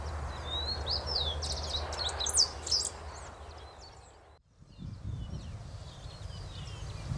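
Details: Great Pampa-Finch (long tail, robust orange-yellow bill) giving very high, thin, quick notes in bursts in spring, the southern-hemisphere breeding season, with other small birds chirping and a steady low rural rumble behind.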